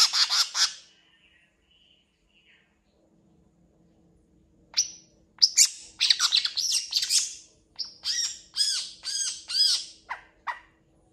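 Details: Long-tailed shrike in busy, imitation-rich song: a quick harsh burst, nearly two seconds of silence, then a long rapid run of scratchy chirps ending in repeated arched, slurred notes roughly every half second.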